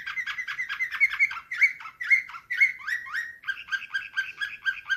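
A canary sings a rapid, continuous run of bright chirps and trills, shifting into a faster rolling tour partway through, with no other sounds.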